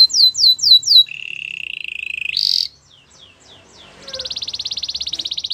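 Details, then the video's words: Singing Belgian canary: four quick descending whistles, a sustained low rolling trill, a brief higher buzz, soft faint notes, then a bright rapid trill to the end. "Belgian canary singing"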